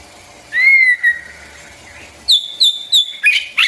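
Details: White-rumped shama song used to train young and newly caught birds: a clear whistled note sliding gently downward, a short pause, then a run of bright high whistled notes in quick succession ending in a scratchy burst.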